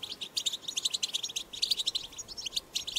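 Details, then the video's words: Strong wild 'batbata' song of the European goldfinch, used to set goldfinches singing; loud, rapid run of bright twittering notes and buzzy chirps in tight clusters. "أقوى بتبتة حسون"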